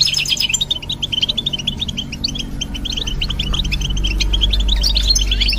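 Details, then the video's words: A European goldfinch delivers quick, sparkling chirps in a steady stream while a low rumbling background noise grows louder toward the end. "Look How The Goldfinch Sings شاهد تغريد طائر الحسون"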